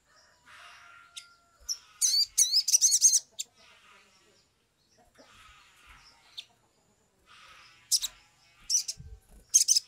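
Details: Sumatran leafbird, an agitated singer, heard as a lure. Faint warbling gives way to rapid rising and falling squeaky phrases, then pauses and renewed bursts of high chirps.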